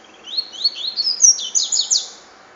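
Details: One cachoeira-style song phrase of a double-collared seedeater: a quick run of high, sliding, chirpy notes that climbs and becomes louder and more buzzy toward the end.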